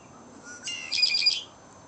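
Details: Red-winged blackbird singing at Shady Oak Lake: a thin lead-in whistle, then a bright, harsh, high-pitched trill with rapid pulses, over a soft constant background rush.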